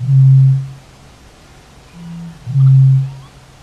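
A Eurasian bittern booms: deep, hollow foghorn-like hoots around two seconds apart, preceded by a softer intake note, with nothing else heard.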